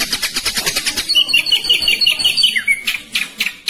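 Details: A caged ashy drongo sings a "roll tembak" phrase: a run of fast harsh notes, then a wavering high whistled series ending in a falling slur, followed by scattered sharp chips.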